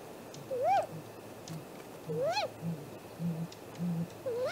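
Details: Great grey owl calling at the nest at 7:15 am on 2 April 2018, live nest camera. Rising-falling whistled notes come roughly every one and a half seconds over faint low knocking.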